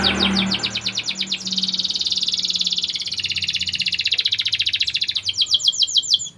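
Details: Canary known as a strong, frequent singer, used as a lure for young canaries' breeding mood. Choppy rapid notes lead into a long rattling buzzy trill of about four seconds, followed by crisp staccato notes.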